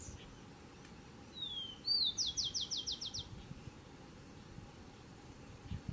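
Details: Rufous-collared sparrow singing to defend its territory. It gives a single clear, drawn-out whistle, then a slurred note, then a quick trill of about seven sharp descending notes, with faint background noise.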